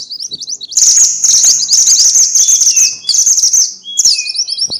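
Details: Excited chattering of a minivet, known as mantenan or sepah: continuous shrill twittering runs of high chirps, broken by brief pauses and occasional lower drawn-out whistles.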